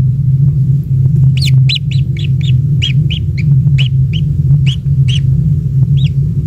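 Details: Newly hatched kingfisher chick, a single young bird at the nest, being fed insects by its parent; short arched chirps repeated rapidly, about a dozen in five seconds, over a steady low rumble.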